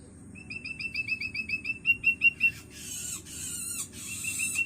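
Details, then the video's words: Long-tailed Shrike chick, hungry and learning to call: a rapid series of short, evenly repeated chip notes that build in loudness, then breaks into harsh hissing rasps with a downslurred whistle. "Suara anakan cendet"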